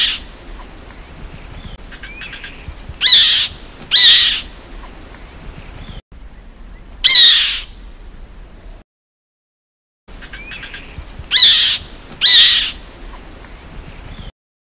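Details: Black-winged kite (Elanus caeruleus) gives harsh, high, rasping screeches, mostly in pairs about a second apart, repeated every few seconds over a faint background hiss.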